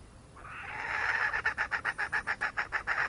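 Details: Wild junglefowl hen giving a drawn-out rising note that breaks into an evenly spaced series of loud, harsh clucks, about four per second.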